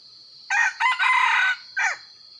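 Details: Crow of a Red junglefowl serving as a decoy in the rainy season: four rough phrases, a short note, a brief one, a long sustained middle section, then a quick falling end note, with a constant shrill insect drone behind.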